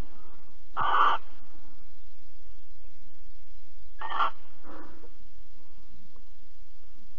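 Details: Mating and cuddling barn owls recorded in Alphen, 22 April 2020, 21:37. Three brief rasping hisses: one early, then two close together around four to five seconds, with a constant low background hum.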